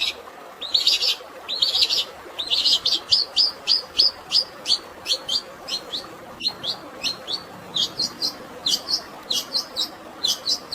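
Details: Fighting song of a long-tailed shrike filled with sparrow-like notes, against natural water sound: rising swept chirps that quicken into a rapid chattering series, then a string of short, sharp clicks and chips.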